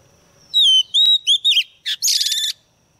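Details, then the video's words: A lure female white-rumped shama sings to provoke males: pure whistled notes, the first long and falling, then short wavering phrases, ending in a harsh buzzy rattle. "Choè than mái mồi hót kích chim nhanh hót nhanh căng lửa"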